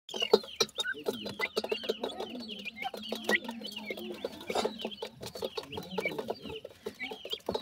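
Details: Grey francolin family with chicks feeding: a dense chatter of thin, high, downslurred peeps mixed with short, low, knocking clucks, calling almost continuously throughout.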